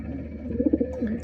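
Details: Pigeon cooing indoors, a short burst of low, throaty rolling notes near the end over a steady low hum.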